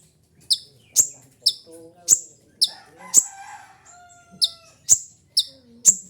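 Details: Kolibri ninja sunbird chips, used for luring and mastering birds, sharp and high and repeated about twice a second, with softer lower whistled notes from another bird threading between them.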